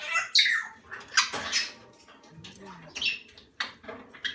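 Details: Hand-reared Moluccan (salmon-crested) cockatoo chicks under a month old, being spoon-fed porridge, give harsh, raspy squawks and wheezy cries in uneven bursts while a woman murmurs softly in a small room.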